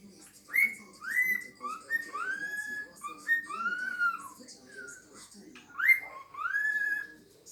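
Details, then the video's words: A two-year-old pet cockatiel that can say 'good morning' in Polish, whistle and say its own name: a string of clear whistled notes, each sliding up then down, about one every half second, with a low indoor hum. "talking parrot nymph (gadająca papuga nimfa)"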